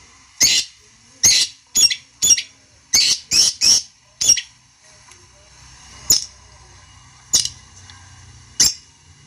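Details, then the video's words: Long-tailed shrike (cendet) calling to provoke a rival into answering: loud harsh broadband squawks, eight in the first four seconds then spaced every second or so, high-pitched and scratchy. "pancingan burung cendet bikin emosi lawan nya jamin nyaut"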